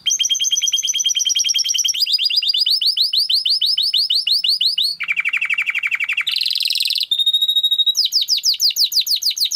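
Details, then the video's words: Timbrado canary training song: continuous rapid trills throughout, changing from high tours to a lower rattling section and then to a buzzy passage before returning to quick sweeping notes. "Υour canary will sing UNSTOPPABLY"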